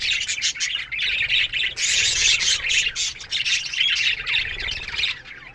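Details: A morning chorus from a colony of aviary budgerigars: overlapping rapid squawky chirps and chatter that swell louder in the middle, from many birds calling together.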